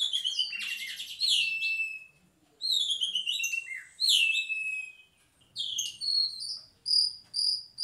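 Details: An Asian pied starling sings bursts of high whistles, chatters and buzzy trills, each phrase separated by brief pauses; a master song meant for other birds to copy, and the species can mimic.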